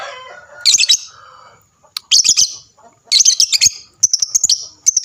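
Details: Lovebird singing to prompt other lovebirds to respond, with bright, shrill, buzzy chirp bursts, a brief lower warble, then faster repeated high twitters toward the end.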